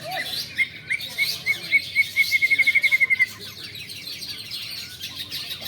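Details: A long-tailed shrike being trained for contest singing at a practice event; a series of clear piping notes that speeds up into a rapid even trill for about three seconds, then stops, with a background bird chorus.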